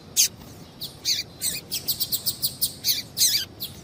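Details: Female double-collared seedeater calling to excite males for singing contests: a steady string of short, high, slightly buzzy chirps repeated several times per second with little pause, over a low hiss.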